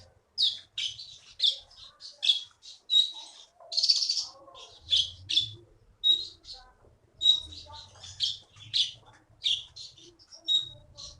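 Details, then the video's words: Champion Keety (konin) songbird, originally taken from the forest of Bangka, Indonesia, singing in full voice: loud high chirped and whistled phrases repeated about every half second, with faint low rumble beneath. "KEETY BURUNG JAWARA FULL GACOR"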